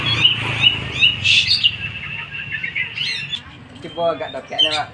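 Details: Oriental magpie-robin practising song with a second magpie-robin nearby: short bright whistled phrases and rapid chirps, fading to quieter notes, with a brief low voice-like sound near the end.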